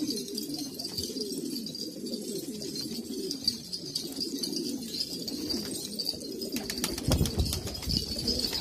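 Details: Many old Kabul pigeons, Afghanistan, cooing low and continuously in a loft-like chorus; a burst of wing flapping or rustle near the end.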